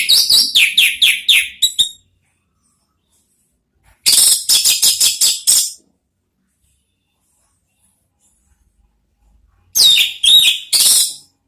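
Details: Ngeriwik-style singing of an orange-headed thrush, used as lure therapy: three bursts of quick, evenly spaced chirping notes, each about one to two seconds long and separated by silence, sharp and high-pitched.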